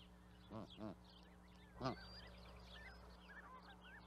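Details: Canada goose giving two quick nasal honks followed by a single louder honk, while a steady chorus of small songbirds chirps in the background.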